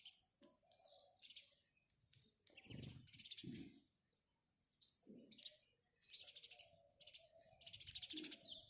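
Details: House sparrow giving choppy, insistent chirps in scattered groups, with a brief silence midway and occasional low thumps.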